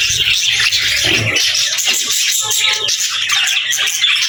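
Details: Busy budgie chirping, many overlapping high twittering and scratchy notes forming a steady wall of chatter, with a brief lower squawky burst near the start.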